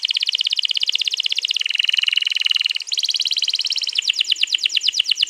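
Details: Canary recorded 21 April 2022, a long rolling gacor song used to prompt another canary to sing along: dense rapid buzzy trills in several steady sections, closing with quick repeated downward notes.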